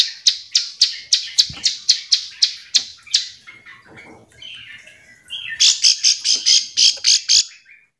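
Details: Calling Bar-winged prinia, its call meant to stir reluctant birds into back-and-forth singing; a fast series of about eleven buzzy notes, a softer warbled pause, then a tighter string of bright, piercing notes.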